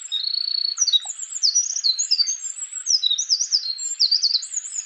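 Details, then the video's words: Japanese robin (komadori) singing in the wild: a drawn-out high whistle, then rapid, tumbling trills and twittering phrases, high-pitched and almost unbroken. "Bird Song Japanese Robin Bird or komadori Gacor"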